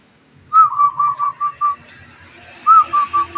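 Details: A newly caught wild zebra dove begins singing: a phrase of six rapid, soft cooing notes, a brief gap, then another phrase of four similar notes over a low hum.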